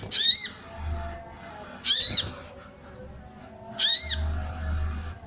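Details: Female sooty-headed bulbul calling to excite males into song; three harsh arched buzzy notes, spaced near two seconds apart, over a soft low background hum.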